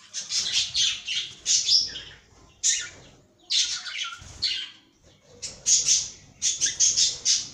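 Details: A cockatiel in a cage chatters in short bursts of scratchy, high twittering notes, separated by gaps of about a second, with a quieter squawk in the middle.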